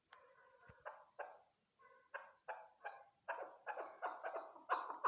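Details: A chukar partridge (Alectoris chukar) gives harsh, clucking chuck notes that quicken into a rapid chattering series of about three per second, over a steady high electronic whine.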